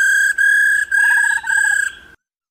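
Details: Female laughingthrush calling to stimulate males to sing: long, steady whistled tones in three bursts separated by short breaks, with a quick, lower series of rapid beaded notes under the third burst.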